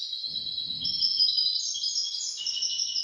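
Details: Caged goldfinch-canary hybrid singing in hafada and daniya style, a tutor recording for teaching goldfinches and canaries: high, continuous silvery trill with bright warbling phrases, faint low rumble early on.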